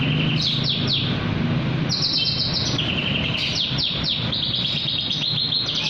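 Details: Night-time Javan bush lark song: clusters of sharp descending high notes, held whistled tones and rapid trills following each other without pause, with a steady low hum underneath.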